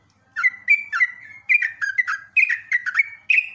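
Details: After a short silence, a sooty-headed bulbul from a cage-bird training recording sings clear, slightly slurred whistles in quick pairs and triplets, each phrase falling a little in pitch.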